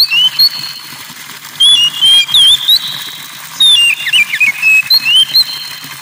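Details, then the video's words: Oriental magpie-robin (kacer) singing over trickling water in a water-therapy recording. Varied clear whistled phrases with slurs and quick twists come in bursts, over a steady background hiss of flowing water. "KACER TERAPI GEMERICIK AIR"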